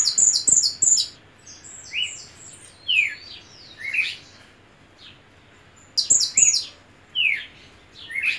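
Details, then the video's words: Red siskin singing: bursts of very high, thin twittering notes alternate with buzzy, down-slurred phrases, with pauses of a second or two between bursts. "carde rojo cantando"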